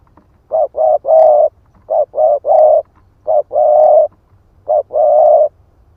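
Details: Decoy spotted dove ('ức chẻ' type) used for luring: series of cooing phrases, two or three quick low notes leading into a prolonged coo, repeated in a regular rhythm.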